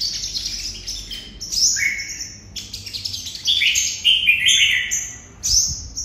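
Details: Red-whiskered bulbul, Đồng Nai, Vietnam, performing 'hút mật' song: high sustained chirpy notes broken by downward-slurred whistles and quick twitters, phrases spaced about a second apart.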